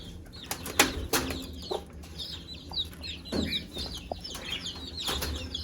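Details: Mother hen calling chicks to eat, giving low clucks among many short, high chick peeps, with pecking taps and rustling noise.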